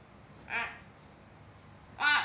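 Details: Hill myna in full voice, played to rouse quiet mynas, utters a raspy nasal squawk, then after a pause of about a second and a half a louder harsh, broadband call.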